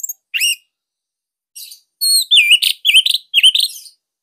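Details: Master song of a Bali orange-headed thrush for training other thrushes; clear slurred whistles and repeated down-up swooping notes about twice a second, mixed with rough chattering.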